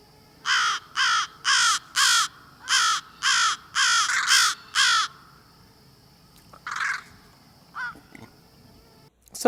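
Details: American crow (Corvus brachyrhynchos) mobbing call, calling other crows to help mob a predator: a rapid series of eight harsh, loud caws about twice a second, followed by fainter caws from other crows arriving.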